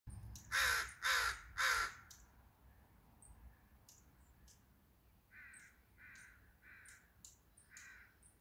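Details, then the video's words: Birds in an evening chorus: three loud, harsh caws open the sequence, followed by softer, repeated calls from a more distant bird and scattered high chirps from other birds. "Birds Evening Chorus"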